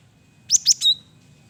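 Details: Lure song of a male gelatik batu, the cinereous tit: two rapid high chipping notes followed by a thin, steady whistle, on a quiet background.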